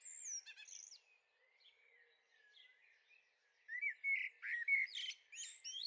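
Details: Young common blackbirds in a garden on the Veluwe, Netherlands, 30 April 2014; a brief high chirp flurry, soft thin whistles, then a lively rush of rising and falling chirps and clicks.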